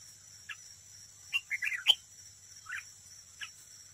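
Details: Red-whiskered bulbul decoy bird singing competitively at a trap: one short burst of warbled, slurred notes mid-clip, with isolated chirps before and after, over a steady high insect-like hiss and low hum.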